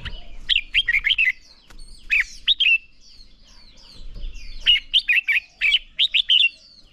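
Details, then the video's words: Red-whiskered bulbul song, used to train birds toward competition singing: bursts of short, bright, warbled notes, three to six in quick succession, in loud groups at the start and again after a pause, over faint chatter of other birds. "Chào Mào Hót | Chào Mào Ché Kích Bổi Nhanh lên lửa - Thúc Chim Sổ Giọng | Luyện Chào Mào Hót Đấu"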